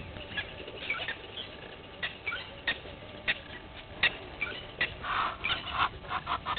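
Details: Red-billed hornbill looking for a meal at Gowrie dam waterhole, Djuma Game Reserve, Sabi Sand Wildtuin, South Africa, 07:48 on 20 March 2021; scattered sharp taps and clicks, then a quickening run of hollow clucking notes toward the end.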